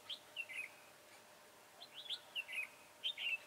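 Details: Red-whiskered bulbul singing during trapping with a decoy bird: short bright whistled phrases of rising and falling warbled notes, repeated three times in quick bursts over a quiet background.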